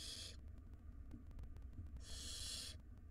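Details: Wild barn owl nestlings in a monitored nest box while the mother feeds them and one nestling swallows a huge rodent. Two harsh, breathy hissing bursts, the second longer, over a steady low hum with faint repeated ticks.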